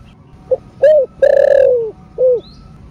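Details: One spotted dove phrase in thổ sấm đồng style, meant to stimulate caged doves: a faint pip, a clear coo, a long vibrating coo sliding downward, then a last softer coo; a brief high chirp follows.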